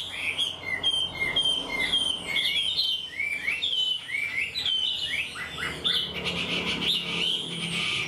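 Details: Caged wild-caught Chinese hwamei, quick to sing, delivering a structured song like a tamed bird: rich, fast run of whistled, slurred phrases rising and falling, repeated without pause; a brief burst of broadband noise near the end.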